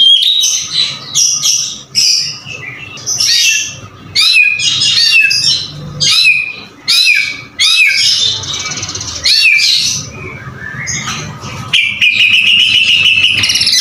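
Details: White-rumped shama singing a varied, loud song of high chattering phrases and short bursts, broken by brief pauses, ending in a long sustained trill; a steady faint tone runs underneath.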